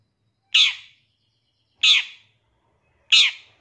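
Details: Long-tailed shrike from a master recording made for training captive songbirds. Three separate raspy, scolding squawks come about 1.3 seconds apart over clean silence, each a brief harsh burst that trails away.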